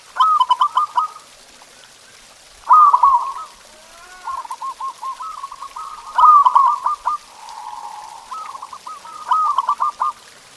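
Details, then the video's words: Zebra dove song played as a training recording to stimulate pet doves to sing: bursts of rapid, bubbling trilled coos near one pitch, several phrases in a row with short quiet gaps, one drawn-out steady coo midway. "Suara Masteran Perkutut Ini Bikin Burung Kamu Nggak Mau Diam!"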